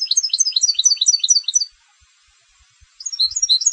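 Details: European goldfinch kept for song competitions delivers rapid, high tinkling twitters for about a second and a half, falls silent for over a second, then resumes with a burst of bright chirping notes.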